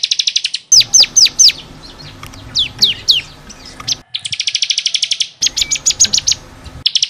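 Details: Vigorous bar-winged prinia song for tutoring caged birds: a fast trill, then a run of loud downslurred whistled notes, followed by more rapid, high, buzzy trills of repeated chirps.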